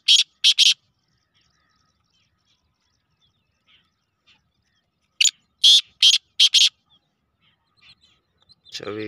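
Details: Black francolin calling: two bursts of loud, harsh, grating notes, a short group near the start and a longer run of four or five later, separated by quiet, with a faint low sound at the end.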